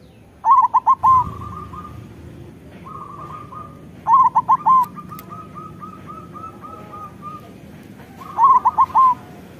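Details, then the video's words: Local zebra dove, a loud-voiced bird used as a lure to make lazy doves sing: three cooing phrases, each a few quick rising-falling notes then a run of short even coos, about four seconds apart. "Perkutut lokal gacor Suara Besar"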